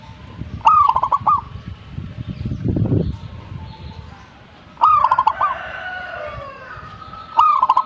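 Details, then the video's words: Zebra dove singing strongly (gacor) repeats a stuttered cooing phrase three times, each a burst of quick clipped notes ending in a held tone, with a brief noisy rustle between the first two phrases. "gacornya perkutut ini"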